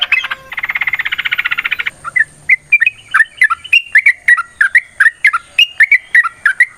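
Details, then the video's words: Yellow-vented bulbul singing long 'ropel' song in 'tarung' style, used to prompt other bulbuls to answer: it opens with a fast buzzy rattling trill, then runs into quick bubbly, gurgling whistled phrases repeated in a lively stream. "TRUCUKAN GACOR TARUNG ROPEL PANJANG Pancingan trucukan Agar Bunyi Jadikan Burung Trucuk Gacor Nyaut"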